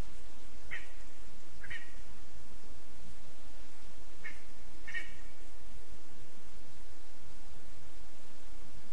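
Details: ['Lesser spotted eagle chick, spruce nest, Zemgale, Latvia, 15 August 2024: four short, high, slightly wavering calls in two pairs, the clearest near the fifth second, over a constant background hiss.']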